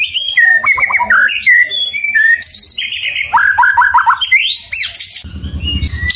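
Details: Kept White-rumped shama pouring out a loud, continuous, varied song of whistled notes, quick rising and falling slurs and short chattered runs, with a low harsh rasp near the end.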